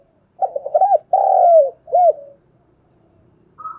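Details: Spotted dove used as a decoy to coax young birds into singing. It delivers one low coo phrase of short stuttering notes, a long drawn-out coo and a final clipped coo. After a pause comes a brief, faint, higher note.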